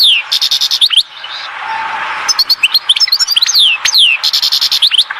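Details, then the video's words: Rapid, tinkling song of a goldfinch recorded at Oued Zhour in Skikda, with descending slurred notes and buzzy trills, a short hissy gap near the middle, then more twittering. "تغريد حسون"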